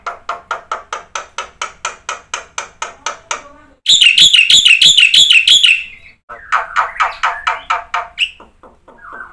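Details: Black-winged myna in strong 'gacor' song, 'full isian', used as a lure for quiet birds: a long series of evenly spaced harsh notes, a loud wavering trilled whistle, then further rapid rasping chatter.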